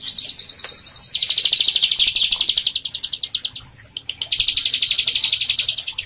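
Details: Bar-winged prinia, a vigorous captive singer used to stimulate birds that have stopped singing: fast rhythmic bursts of piercing high notes, about four a second, pausing briefly midway before resuming.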